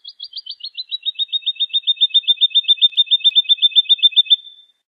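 A Woodlark's liquid, fluty song: a long, even series of about thirty soft notes, slightly descending at first, then steady, running for over four seconds.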